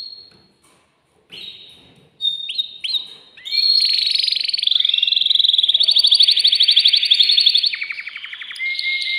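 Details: Agitated caged male canary singing to stimulate a female for mating; a few separate whistled notes, then a long continuous run of fast buzzy trills and rolled tours, ending on lower pulsed notes.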